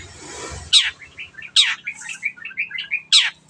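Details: Long-tailed shrike singing strongly, a clear training recording for pet birds: three loud harsh descending rasps separated by quick runs of small chattering, twittering notes.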